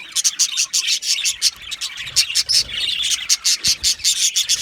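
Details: Aviary budgerigars calling as a group, a busy stream of sharp high chirps pulsing roughly three per second over a constant chattering background.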